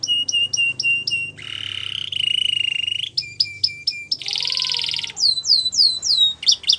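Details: Varied Gloster canary song: clipped repeated notes, a harsh buzzing roll, more short notes, a loud rasping burst with lower sliding tones, then quick curved whistles repeated in short runs.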